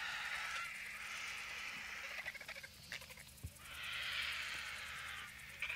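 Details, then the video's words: Vultures feeding on a roadside bull elephant carcass in the African bush, making loud, drawn-out harsh hissing screeches with scattered clacks and scuffles between bursts. "Vultures squabble over the carcass of a bull Elephant killed in a fight"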